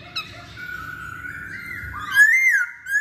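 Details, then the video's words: Masked laughingthrush lure song: a long steady whistled tone that rises slightly and ends in a louder bright sliding whistle, with a brief buzzy note near the start over faint low background hum. "Pancingan Poksay Hongkong"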